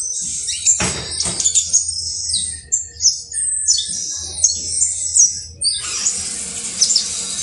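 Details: Saffron finch (canario basto criollo) singing clusters of sharp, high chirps and quick slurred notes, broken by short pauses, with a couple of low knocks early on.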